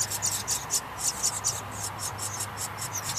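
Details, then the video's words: Nestling house wrens calling loudly at feeding time; a quick series of high, raspy hisses, roughly a dozen pulses in three seconds, over a faint constant hum. "House Wren Feeding Time"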